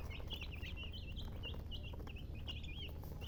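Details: Spaced, wavering high chirps from chickens follow one another every fraction of a second, each slurring up and down, over continuous low-frequency background noise.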